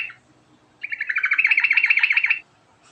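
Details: Energetic rolling ngerol song of a yellow-vented bulbul: a single quick burst of jittery, high chattering notes lasting about a second and a half, rising slightly in loudness toward its end.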